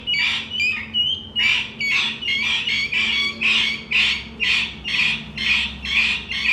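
A partridge gives loud, harsh, squawking notes repeated about twice a second.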